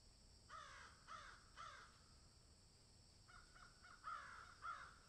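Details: Field crows giving raspy, descending caws: three spaced calls, a gap, then a quicker run of shorter caws ending in two louder ones.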